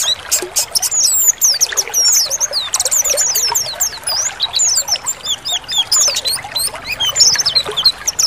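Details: Chorus of many Oriental white-eyes: thin high twittering and rapid slurred chirps overlapping continuously, with no other sounds.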